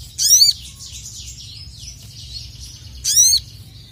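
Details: Sogon, or crested jay, in an emotional, rival-summoning mood: two loud, ringing, harmonic calls that sweep downward, about three seconds apart. Softer high warbling fills the gap between them.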